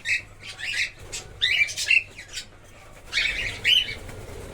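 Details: Colony-bred cockatiels giving scratchy, screechy calls in clustered bursts separated by short pauses, several birds calling, faint low hum beneath.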